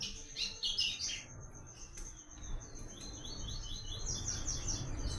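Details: Double-collared seedeater song, 'Tui Tui' style, played for song training: an opening cluster of bright high chirps, a pause, then a cadenced string of short descending notes, with a steady high whine behind.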